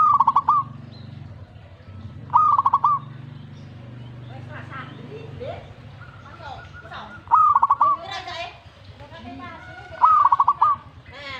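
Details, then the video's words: Zebra dove answering a master recording with four whistled coo phrases, each a short note then rapid pulsed notes and a drawn-out close. Other harsh, voice-like sounds and noises fill the middle and end. "Langsung reaksi buat masteran perkutut"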